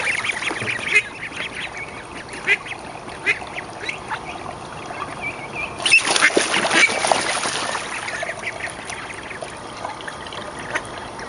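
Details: Growing mallard ducklings, 29 days old, in a school courtyard with a swimming area in spring 2012. Scattered thin, high peeps come mostly in the first seconds, followed by a burst of splashing and a steady hissing background.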